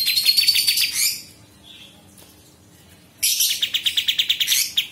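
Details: Kapas tembak, the Sooty-headed Bulbul, singing as training audio for murai batu, cucak ijo and kacer. A second of high, scratchy, buzzy twittering, then a silent gap, then a fast run of sharply pulsed, repeated chattering notes.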